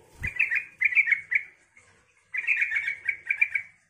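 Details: Yellow-vented bulbul song to lure other bulbuls into replying: quick runs of bright bubbling, chattering notes, a short break, then a longer tumbling warble of rapid repeated notes.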